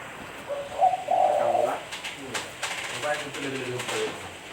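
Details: Low, breathy coo from a spotted dove, one sustained phrase early on, followed by quieter broken coos and scattered clicks and knocks.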